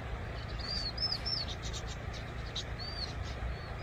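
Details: Vinous-throated parrotbill calling: thin, high arched whistles in a quick run of three, followed by a burst of soft buzzy chatter and two more arched notes, over a steady low rumble.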